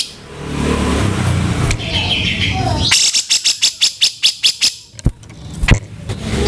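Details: Grey-cheeked bulbul (cucak jenggot) in rough kasaran style, used for training songbirds. Low rumbling noise gives way to a rapid run of about nine raspy notes, then a few scattered clicks and knocks.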